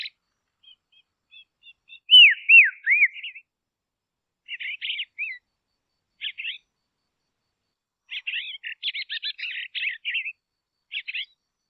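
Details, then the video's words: A Dusky Robin in quiet Tasmanian woodland, Australia, gives a few clear, downslurred whistles, then short bursts of scratchy, chattering mid-high notes with quiet gaps between. "Dusky Robin Call"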